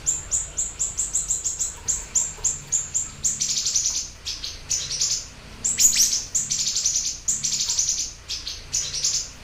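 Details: Siri-siri bird in lively, persistent song used as a lure and master recording: rapid series of high, thin chirping notes in short repeated phrases, with a few brief pauses between bursts.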